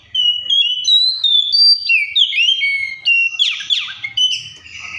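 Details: An Oriental magpie-robin sings a rapid string of fluty whistles that rise and fall, roughly three notes a second, ending in scratchy, buzzy chatter mixed with higher whistles.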